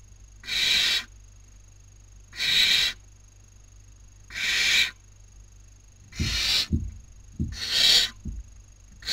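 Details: Nestling barn owls competing for food at a webcam nest, Cabañeros National Park, Castilla-La Mancha, Spain, 2019 breeding season; rasping hissed screeches roughly every two seconds, with soft thumps and scuffling near the end.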